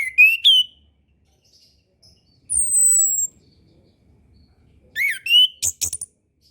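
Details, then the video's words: Orange-headed thrush master song for birds reluctant to sing or newly learning: a rising whistle, a long thin high whistle after a pause, then a downslurred note followed by sharp chips. "MASTERAN SUARA ANIS KEMBANG KHUSUS UNTUK ANIS KEMBANG BARU BELAJAR BUNYI DAN KURANG BIRAHI"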